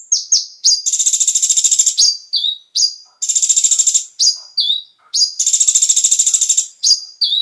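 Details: Konin singing a lure song meant to make caged birds sing: three long buzzy rattling trills, each about a second, separated by sharp high whistled notes and a lower downslurred phrase.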